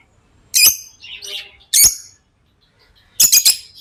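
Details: Harsh, high squeaky chirps from tame lovebirds, three loud bursts spaced about a second apart, the last a quick double-triple chirp, with softer chatter in between.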